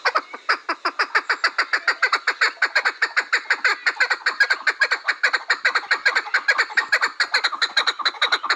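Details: Steady chukar partridge chatter: loud, rasping chuk notes repeated about twice a second without pause, building a rhythmic, insistent series.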